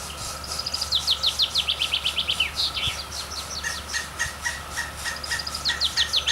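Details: Woodpecker chicks at the nest while adults feed them: a fast run of sharp, high chirps that fall slightly in pitch, several per second. Regular pulsing insect-like buzz and a steady high hum underneath.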